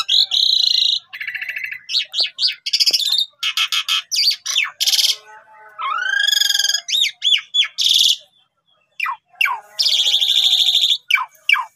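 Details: Energetic Asian pied starling song meant for tutoring starlings: rapid varied phrases of harsh rasping bursts, clicks, and looping whistles, with a brief pause near the end before harsh notes resume.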